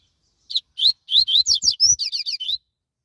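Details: Double-collared seedeater on an outing, delivering a rapid, vigorous run of short chirped notes, a few spaced rising notes then a dense burst of sharp downslurred and whistled elements lasting about two seconds.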